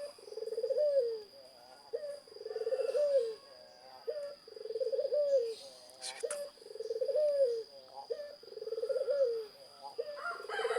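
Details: Zebra dove in full song, about five rolling, pulsed coo phrases in steady succession, each opening with a clipped note then a purring trill lifting at its end; a constant thin whine and one sharp click midway.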